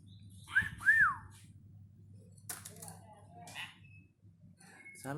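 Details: Pet hill myna practising new words: two quick arched whistles, rising then falling, then scattered scratchy noises, a brief thin whistle and a harsh rising note at the end, with a constant low background hum.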